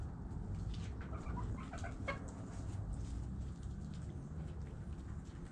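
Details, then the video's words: Hens clucking amid low steady rumble; a short run of rising and falling harmonic clucks between one and two seconds, then mostly noise with faint scratching sounds. "Chickens Doing Chicken Stuff Sounds Noises Hens Clucking Roosters Crowing!"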